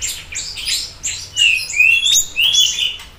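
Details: Siri-siri bird in vigorous song, used to stimulate and tutor other birds: clusters of short high chips, then clear sliding whistles rising and falling, repeated in lively bursts.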